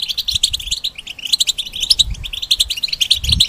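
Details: European goldfinch kept in a cage, singing continuously for training other birds: a steady stream of fast, tinkling, high-pitched twitters and liquid trills with faint low thumps in the background.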